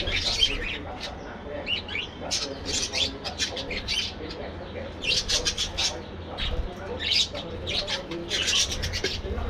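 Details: Budgerigars in a colony aviary give bursts of sharp, high chirps and squeaky twitters in clusters a second or so apart, with short quiet gaps and a faint low hum beneath.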